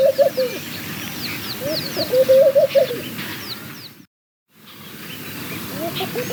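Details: Laughing dove giving brief low, bubbly coo phrases, one stronger series of wavering notes near the middle, amid busy high chirping of other birds; a short silent gap follows before the birdsong resumes.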